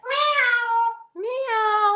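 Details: Pet talking parrot in Texas, hatched 1997, indoors, answering a request to meow: two long, nasal, cat-like meows, richly harmonic and steady, the second rising at its start, separated by a brief pause.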